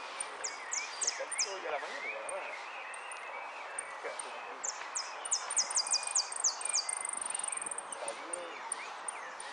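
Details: A yellow jilguero (finch), placed third at a Zona Norte singing contest on 01-11-15, sings fast, high, thin downslurred notes running into a quick trill near the end, over murmuring voices and background noise.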